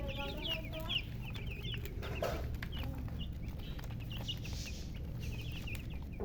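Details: Coloured chickens and a hen (murgi) chirping in loose bursts of quick descending peeps, some louder and closer, with brief pauses and continuous low-pitched hum underneath.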